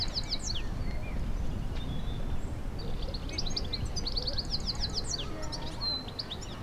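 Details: A goldfinch singing in a treetop by Kensington Palace's sunken garden, London, on a cold April 2016 day: a fast, tinkling jumble of high twittering notes and liquid trills, over steady low rumble and background noise.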